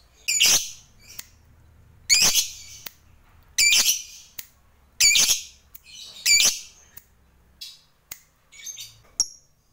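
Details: Lovebird fighter from a lure recording meant to provoke other lovebirds into long ngekek; harsh, buzzy squawk bursts about every one and a half seconds, mixed with brief sharp chips between them.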